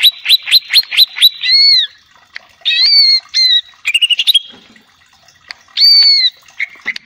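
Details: Greater green leafbird singing to provoke another bird, opening with a fast run of sharp repeated chips, then rich arched whistles and twangy slurs, another quick chip burst, and a final descending whistle.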